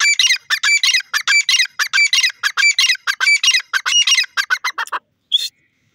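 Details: Grey francolin calling: a rapid series of loud, harsh, clipped notes repeated about one and a half times a second for five seconds, ending in silence with one last short note.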